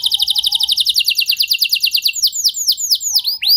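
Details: Canary delivering a rapid downswept trill of about twelve notes per second, slowing into broad arched whistled notes, with a faint low whistle underneath; meant to draw other canaries into song.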